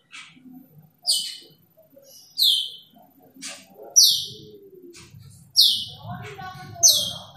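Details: Asian glossy starling calling a rival: loud, sharp, high notes sweeping steeply downward, repeated roughly every one to one and a half seconds, with faint low murmuring in the background.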